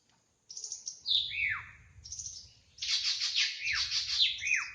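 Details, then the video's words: Wild drongo singing in its natural habitat: loud, varied high whistles, some sliding sharply downward, mixed with rapid chattering bursts in two phrases, over a faint low background rumble. "Suara burung srigunting asli di alam liar gacor"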